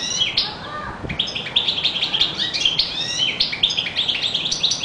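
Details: European goldfinch singing a fast, dense stream of bright twittering and tinkling high notes, with buzzy trills and rapid chirps running almost without pause through the whole stretch.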